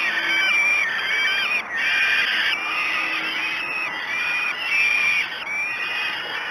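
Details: At a 06:54 breakfast feeding on 5 June 2016 at Great Spirit Bluff, falcon chicks give loud, strained begging screams in bursts of a second or so, each sliding up then down, separated by short dips.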